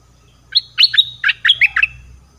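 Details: Red-whiskered bulbul, southern Thai type, sound used as a lure; a quick bright phrase of about seven sharp chirping notes, falling and rising, over roughly one and a half seconds with a faint low hum beneath.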